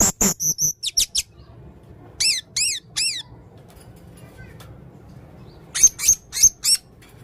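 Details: Male blue-crowned hanging parrot in lively song with many unusual sounds: sharp, high, shrill squeaks and arched chirps given singly or in short groups of three to four, with quiet pauses between.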